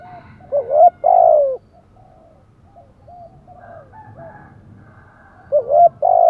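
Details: Spotted dove urging coo (thúc gù): a quick wavering note and long falling coo, then a stretch of faint low cooing and distant calls before another loud double coo and drawn-out coo.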